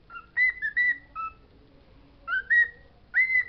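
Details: A pet parrot singing the words it knows: clear whistled notes in short bursts, some sliding upward and some held steady, in groups of two or three with brief pauses between.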